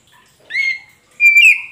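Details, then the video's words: Oriental magpie-robin (kacer poci), a lure recording meant to make a magpie-robin that has stopped singing answer: two clear whistled notes, the first short and steady, the second longer and rising slightly, with a quiet gap between. "Pancingan untuk Kacer poci macet bunyi pasti nyaut"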